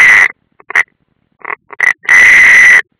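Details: European roller nest at Ādaži, Latvia, 30 June 2016: a harsh rasp opens, a few short croaks follow, then a longer drawn-out grating call.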